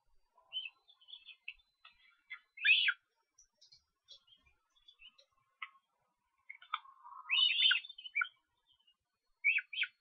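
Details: In Estonia on 13 July, Osprey young beg while being fed at the nest. Faint scattered chirps build into two louder clusters of sharp, high, descending notes, then end with a final paired call.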